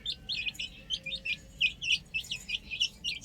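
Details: Baby chickens playing on a roof, peeping steadily: short, bright, slightly downslurred chirps repeated several times a second in an even run, over a faint low hum.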